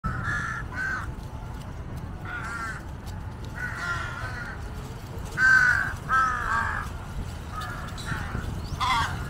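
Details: Jungle crows from a large flock gathered like vultures around a water monitor feeding on a giant snakehead carcass, hoping for scraps; hoarse, harmonic caws in short bursts, some overlapping, over a low background rumble.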